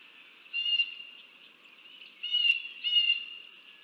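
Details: At a bald eagle nest during chick feeding, Texas wetland southeast of Dallas, 30 January 2024: thin, level, high whistles in three short bursts, the last two close together, then quiet.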